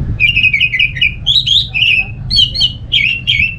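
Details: Orange-headed thrush song, a captive bird's song used to prompt other thrushes into singing: rapid warbled phrases of trilled, slurred notes around mid-high pitch, run together almost continuously, with a steady low hum underneath.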